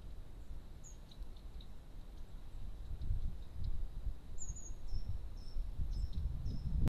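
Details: Long-tailed tits at a garden bird feeder give thin, very high 'see-see' notes, short and scattered, over a steady low rumble of wind or distant traffic.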